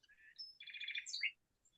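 A Song Sparrow sings a quick, bright phrase: a few clear introductory notes, then a fast buzzy trill and sharp high closing chips, all in under two seconds.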